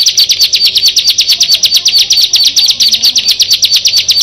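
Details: Bar-winged prinia, one of six birds, delivering a fast even trill of high buzzy clicks, roughly eight to nine per second, sustained without pause.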